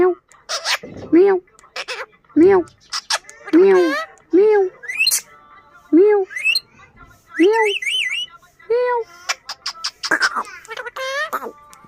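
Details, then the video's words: Pet parrot imitating meowing: a series of short, bent, meow-like calls, roughly one a second, mixed with higher squeaky warbles and occasional chirps. "Mera Tota katna acha bolta hy Funny parrot"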